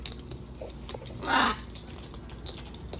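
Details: Wild macaws visiting a balcony: a single harsh, raspy squawk lasting about a quarter second, rising out of a quiet background hum.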